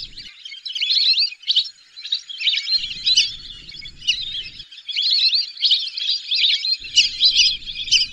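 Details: Whistling duck flock sound: high, chattering whistles in uneven bursts, louder after a brief lull, with squeaky up-and-down notes crowding together throughout.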